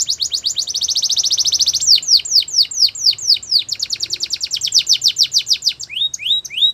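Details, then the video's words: Spanish Timbrado canary song for training: a fast string of high descending whistled notes, then slower separate downward sweeps and a few rising upslurred notes at the end. "Spanish Timbardo Song For Training"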